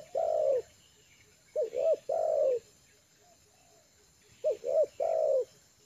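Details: Trained spotted dove used as a lure bird, now at ease on the ground, gives soft low coos: a long coo, a pause, then two short rising notes running into a longer coo, repeated. The background is quiet.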